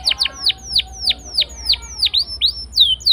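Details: Canary singing as a lure for silent birds, a slow series of clear downslurred whistles repeated about three times a second.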